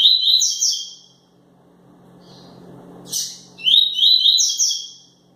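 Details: Double-collared seedeater male in peak singing form giving 'tui-tui' style song: bright, high, slurred twittering phrases in three bursts separated by a quiet pause, over a faint low indoor hum.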